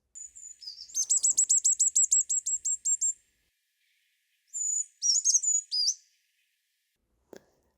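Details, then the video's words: Male Brown Creeper (Certhia americana) singing to attract a mate, as males do from February to March: a very high, thin run of quick repeated notes, then a shorter wavering phrase, with a faint click near the end. "from February to March male Brown creepers begin to sing to attract a mate their song sounds like this"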